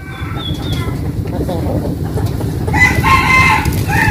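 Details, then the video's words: Morning crowing from a rooster in a Vietnamese home village in the western region. Faint distant crows come first, then a nearer, loud, rasping crow with a long held note, over steady low rumble. "Tiếng gà gáy buổi sáng"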